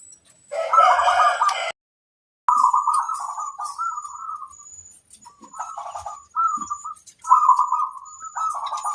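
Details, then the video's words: Local zebra dove song used as a master recording for training other doves: repeated mid-pitched, rolling trilled coo phrases, each under a second, after a loud rooster crow at the start. "Suara sang masteran burung perkutut"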